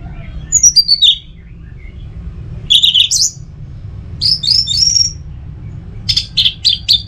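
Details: Caged orange-headed thrush singing separated phrases of high sweeping whistles and short chips, ending in a quick series of sharp notes.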